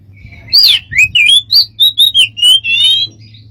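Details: Smart bird with strange sounds: a rasping start, then a quick series of bright whistled chirps and a buzzy drawn-out note, over a steady low hum.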